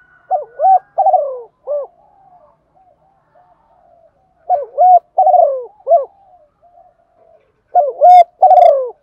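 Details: Spotted dove, a female cooing to excite males. Three phrases of soft, low hooting notes arrive roughly every 3.5 seconds, each ending in a drawn-out descending coo and a brief final note, with faint murmurs between.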